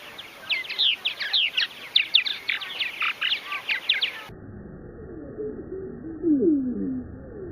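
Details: Purple Martins at one of the largest backyard colonies in the U.S., in Finger, Tennessee: a busy stream of short, high chirps and rasping notes that halfway through abruptly switches to a slowed-down, much lower, drawn-out version of the calls.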